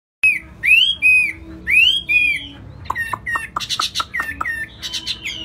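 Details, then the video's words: A caged Chinese hwamei sings loud, ringing whistles, some sliding upward, then breaks into a fast run of sharp, varied notes and chattery phrases. "Chim hót hét tốt"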